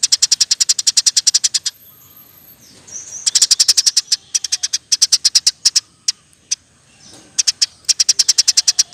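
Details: Eurasian tree sparrow in a constant, fast 'roll tembak' chirping run meant to tutor caged songbirds: long strings of clipped, high chirps at a steady fast pace, broken by short gaps and a few scattered single notes.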